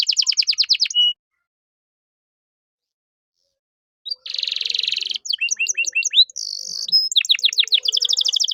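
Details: Canary masteran song with cengkok mewah for training caged birds: a quick rolling trill, a long silent gap, then a harsh buzzy rasp followed by mixed slurred notes and a fast repeated trill.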